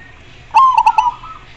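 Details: Zebra dove (perkutut) giving a single close song phrase: a brief held coo, then three or four rapid bubbling pulses in an even, rolling rhythm over a faint low hum.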